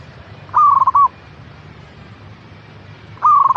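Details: Zebra dove, known locally as perkutut, with song meant to encourage a caged bird to sing: a quick trilled, pulsing coo phrase followed after a pause by the start of another, over low rumble.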